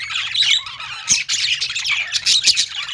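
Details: Budgerigars singing in a pet store, alongside lovebirds: a dense flock chorus of scratchy chirps, squawks and warbled notes, many birds calling over one another without pause.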